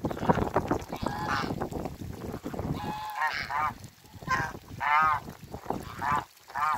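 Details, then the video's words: Toulouse and African geese kept in a backyard, several birds calling: harsh nasal honks with stacked harmonics, repeated in short bursts, some rising, over rustling background noise. "TOULOUSE GEESE VS AFRICAN GEESE IN THE BACKYARD"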